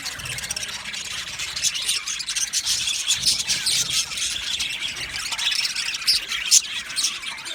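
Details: Male budgerigars in an aviary colony, recorded 8 December 2025, keep up a dense, continuous chatter of high, scratchy chirps and squeaks that overlap without pause for the whole stretch.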